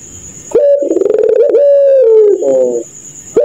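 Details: Puter pelung dove singing at night in its laughing style: a rapid stuttering run of pulses flows into a long, level coo that sags at the end and closes with a short rough burr. A thin steady high whine runs behind it.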